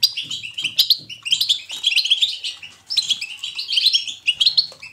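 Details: Goldfinch in lively 'batbata' song, meant as positive motivation for a goldfinch to sing: bursts of quick, bell-like twittering notes, a short break near three seconds, faint low tapping in the background.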